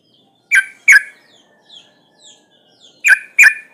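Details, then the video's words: Sooty-headed bulbul, a breeding female calling for males: two pairs of short, harsh, buzzy notes about three seconds apart, separated by faint quiet chirps. "Suara pancingan burung trucuk gacor"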